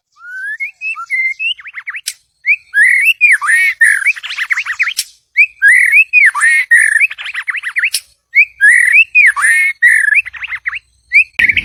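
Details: White-rumped shama singing a rich, varied song to call in a mate: rapid whistled phrases and looping slurred notes around the middle-high register, broken by short pauses, with occasional sharp clicks.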